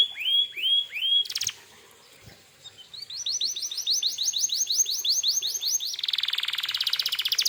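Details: Canary song meant to lure other canaries into replying: three looping whistles, a short pause, then a fast regular run of rising notes and a dense buzzy rattle to the end.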